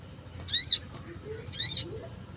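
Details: Wild crimson sunbird calling, used to lure wild birds: two sharp, high chirps with a quick downward sweep, about a second apart, over faint low background hum.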